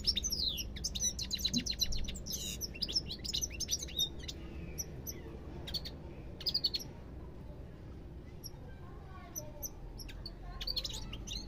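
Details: European goldfinch song, a dense twittering sequence of quick chirps and sliding whistles for about seven seconds, then near silence with a few faint notes returning near the end.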